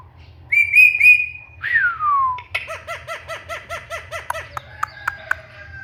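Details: Indian ringneck parakeet kept as a talking pet: a wavering whistled phrase, then a long falling slide, followed by quick chirping notes repeated about four times a second and scattered clicks, with a low hum underneath.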